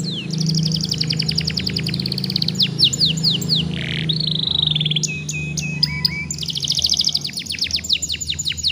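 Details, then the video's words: Juvenile canary, whose song is used to get other young canaries singing, delivers long rapid trills, descending whistles and a sustained buzzy tone, in loud continuous phrases over a low droning background. "PANCINGAN KENARI PAUD JEBOL SUARA JADI GACORR.."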